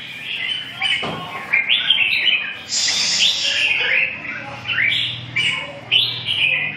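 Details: Red-whiskered bulbul giving repeated short, slurred chirping phrases, some swooping upward. A click, a low hum and faint background noise are also heard.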